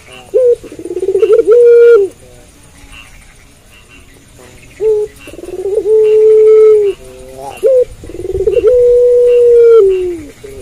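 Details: A puter pelung (Barbary dove) that keeps cooing after dark. A stuttered lead-in runs into a held coo, and this repeats three times with quiet gaps between. Each long note is steady, then dips at the finish.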